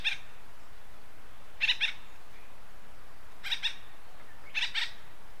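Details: Acorn woodpecker, western North America, uttering short, harsh paired notes, three separate bursts spaced well apart over a quiet, hissy background.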